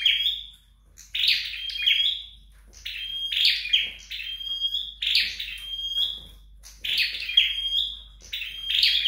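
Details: Flowerpecker in song during training at home, delivering a series of strident phrases: buzzy chatter with a sustained high whistle, coming in pairs and bursts separated by brief silences.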